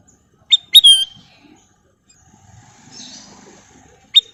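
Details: Golden bulbul sings one bright phrase: quick rising notes ending in a sweet downslurred whistle, then a single sharp note about three seconds later, with quiet background.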